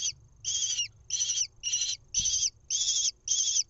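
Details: Lesser kestrel nestling being fed a mouse, nest cam in Israel, 1 June 2021; repeated grating, high-pitched screams, six to seven bursts in under four seconds, with soft low-frequency background noise and a brief thump.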